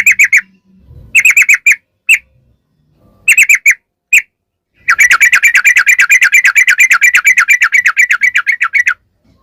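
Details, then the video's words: Yellow-vented bulbul in long ropel style, a lure to make bulbuls answer. Short bursts of fast chirps with pauses, then a long continuous rapid trill of bright repeated notes, about three per second. "trucukan gacor ROPEL PANJANG buat pancingan trucukan agar bunyi"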